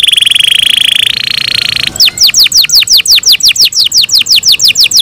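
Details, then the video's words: Caged canary in morning song: a steady, high buzzing trill gives way to a long series of crisp downward-slurred whistles, about four per second. "MORNING SONGS OF CANARIES IN THE MORNING"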